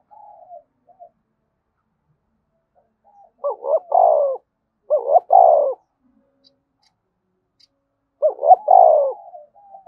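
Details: Spotted dove repeating its 'thúc bổi' coo: three phrases of paired short notes plus a longer falling coo, separated by quiet gaps and faint soft notes.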